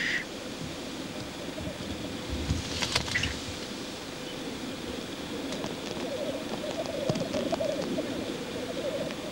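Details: Black grouse at a lek display: a low, continuous bubbling murmur builds through the second half, with sharp hissing bursts and brief higher chirps near the start.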